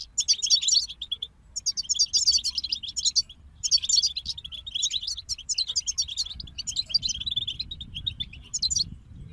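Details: Group of European goldfinches in fast twittering song, delivered in bursts of about a second separated by brief pauses, with jangling high notes and quick trills over a soft low rumble.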